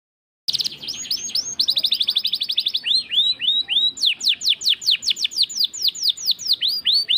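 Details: Canary singing in the "gacor cengkok mewah" style, a bird in full song: fast trills of high, sharply falling whistled notes, a run of rapid repeated chips, then slower descending sweeps repeated several times a second.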